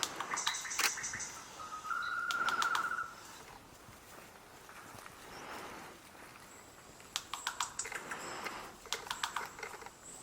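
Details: Male rufous vanga (Schetba rufa) in Kirindy dry deciduous forest, western Madagascar, gives a beak-snapping display, seemingly responding to another rufous vanga calling: dry, sharp clicks in loose bursts and quick runs, with a brief buzzy trill early.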